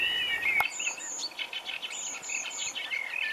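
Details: European robin (Erithacus rubecula) being freed from a mist net, legs and wings tangled, at a bird-ringing station on Lake Ladoga, giving thin, very high notes and short twittering bursts, several per second, over soft hiss with one sharp click early.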